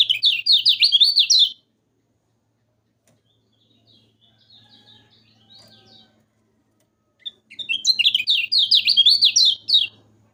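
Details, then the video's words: Yellow-vented bulbul, a recording used to stimulate lazy kept birds: fast, high chirping run, quiet pause with soft distant twitters, then a second energetic burst of rapid zigzag notes. "Kecial kuning Masteran"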